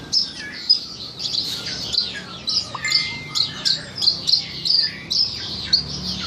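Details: A Horsfield's bush lark delivers tutor song for training birds: a regular run of crisp, high chirps a few tenths of a second apart, with one drawn-out thin whistle in the middle.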